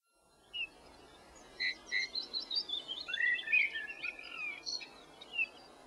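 A bullfinch gives soft, piping notes mixed with busy, high twittering phrases, some rising and some falling, over a faint background hiss.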